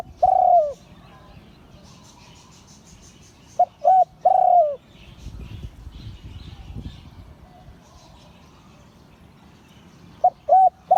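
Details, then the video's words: Repeated crowing phrases of a spotted dove in the Liu Tan style, each a couple of short coos and a long falling note, spaced several seconds apart with soft background rumble. "เสียงขันนกเขาใหญ่ # หลิ่วตัน"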